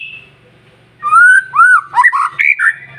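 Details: White-rumped shama in song used as a lure for other shamas: a second of near silence with soft hum, then clear, rounded whistled notes gliding up and down, ending in a quick run of varied phrases.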